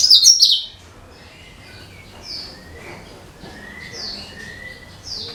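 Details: Cucak kinoi (bulbul) singing, used as a lure for other birds: a short, loud burst of sharp high twittering opens, followed by fainter thin whistles and soft, sliding high notes.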